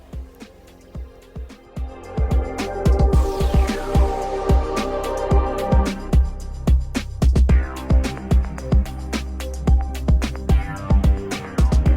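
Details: Electronic music with a steady beat and sweeping synth tones fills the recording; no animal calls can be picked out.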